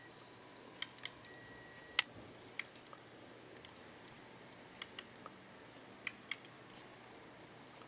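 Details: Daurian redstart in a garden, less wary than before and seeming to share territory with a Japanese wagtail, giving two kinds of calls: thin high whistled notes repeated every second or so, mixed with dry ticking clicks.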